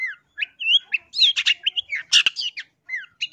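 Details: Long-tailed shrike song used as a lure for trapping wild birds: a fast, varied medley of whistled slurs, harsh squawky notes and chirps, with short pauses and a sharp click midway.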